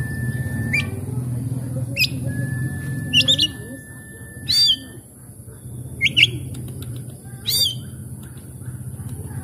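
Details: Oriental magpie-robin lure sounds for stressed, quiet birds: isolated sharp chips and short scratchy notes every second or two, a long flat whistle, over steady low rumble and a high electronic tone.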